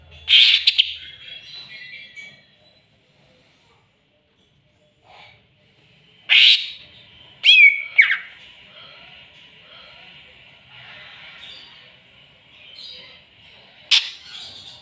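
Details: Greater green leafbird stirred up against a rival: scattered loud harsh bursts and a quick twisting whistled phrase near the middle, separated by silences and soft background notes.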